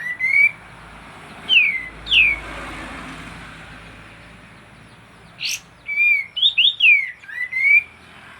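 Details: Sooty-headed bulbul (kapas tembak) in active song, intended to lure silent birds: scattered bright whistles rising and dipping, a sharp click, then a tumbling burst of looping whistled notes ending in a rising slur, over faint hiss.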